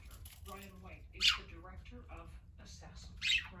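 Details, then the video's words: Parakeets at play give soft warbled chatter broken by two loud, harsh squawks about two seconds apart. "Parakeets playing together"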